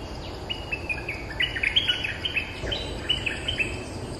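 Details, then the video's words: Streak-eared bulbul, territory holder, argues back at lure calls with a fast run of clear, fluty chirps repeated several times a second for about three seconds, a steady hum underneath. "เสียงต่อนกดอกแตงEp.229 จ้าวถิ่นเถียงทุกคำ!! suara pikat merbah lekir gacor"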